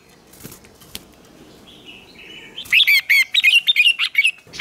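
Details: Red-whiskered bulbul singing competitively, a training recording: faint soft notes at first, then a loud run of rapid, bright chirping phrases in quick, uneven succession filling the second half.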